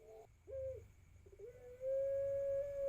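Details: Pelung dove aged four to five months learning to sing, recorded on a phone: short cooing notes, then a long, level, sustained tone building to a loud held note at the end.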